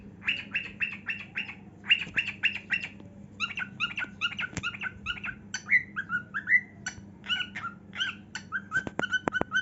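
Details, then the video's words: Pet cockatiel singing while dancing and showing its heart-shaped wing display: rapid series of short chirped notes with harmonic bands, followed by varied whistled and warbled phrases and a few sharp clicks, over a steady low hum. "Cockatiel Dancing & Singing"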